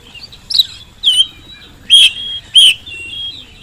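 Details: Oriental magpie-robin in full song, used as a lure so that reluctant birds at home or in the field answer quickly: four loud, short whistled notes, each sliding and bending, spaced about half a second apart over quiet background.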